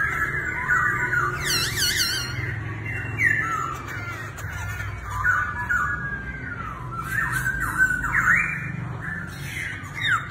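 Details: Laughingthrush said to dance like a circus act, delivering loud whistled and harsh squawking notes at mid pitch, many slurred downward, with an early burst of high rippling notes, all over a steady low indoor hum.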